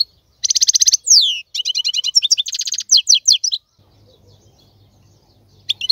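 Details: A male European goldfinch sings for young birds to learn from. The song has a bright tinkling trill, a downslurred sweep and stacked twittering notes, then a buzzy rattle. It ends abruptly, leaving a faint low hum.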